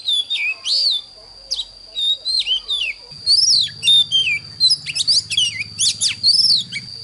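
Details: Oriental magpie-robin morning song for coaching young birds: scattered whistled slurs at first, then faster twittering phrases, while a low mechanical-sounding drone starts after about three seconds and a steady high tone persists.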